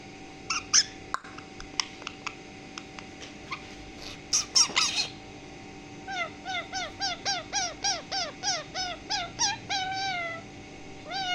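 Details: Angry pet parrot with blue eyes, kept at home: scattered clicks and faint squeaks at first, then a rapid run of about thirteen harsh, downward-bending harmonic calls, roughly two each second.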